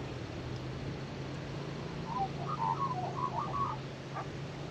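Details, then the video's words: New male Australian magpie sitting on a tractor seat, singing quietly between bouts of light preening in windy weather; a brief run of soft warbled notes in the middle, over steady low hum and wind. "singing softly on tractor seat; Australian magpies"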